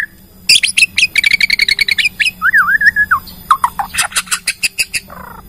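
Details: Lure song of a Bornean white-rumped shama meant to prompt other shamas to sing: rapid repeated high chips, a wavering whistled phrase, then bright staccato notes and a short buzzy ending.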